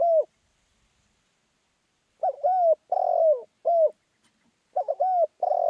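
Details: Spotted dove crowing in the lively 'khan yon' manner. A closing coo is followed by a gap, then two low phrases in quick succession, each built from a stuttered start, a smooth coo and a long raspy descending note.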